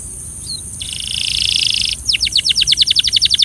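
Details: Belgian canary singing, used for training: a brief high note, then a sustained buzzy trill, then a fast run of rising-and-falling sweeping notes repeated about every tenth of a second, over a steady high hiss.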